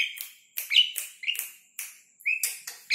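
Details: Asian pied starling song used as training audio for caged starlings and as a lure: short harsh notes with sharp whistled upsweeps, repeated roughly every half second with brief gaps.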